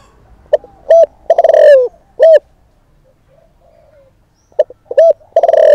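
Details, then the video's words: Provoking call of a decoy spotted dove: one complete phrase of short note, coo, rapid rolling burr and coo, then after a quiet pause a second phrase begins. "Cu Gáy Mồi Thúc || Gáy Gọi Kích Bổi Mới Nhất"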